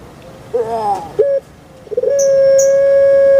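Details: Captive puter pelung dove from Java, Indonesia, giving a quavering coo and a short clipped note, then launching into a long, smooth sustained tone that carries to the end; faint high chirps from other birds in the background.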